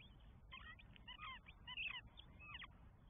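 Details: At an Estonian nest on 24 May 2022, a northern goshawk feeds four chicks, giving a dense run of loud, harsh, high calls that stack into rapid repeated notes, about a hundred per minute, over low background hum.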